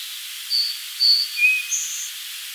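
A song sparrow gives a brief run of thin, high whistled notes at shifting pitches over a steady hiss of background noise.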